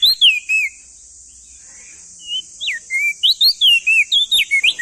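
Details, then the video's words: Male crested white-eye of East Nusa Tenggara singing at full volume: a few swooping whistles, a brief gap, then an accelerating string of sharp rising and falling whistled notes, against a steady high-pitched hiss. "Masteran Burung Opior Jambul Muda Biar Cepat Gacor Rajin Bunyi Siang Malam"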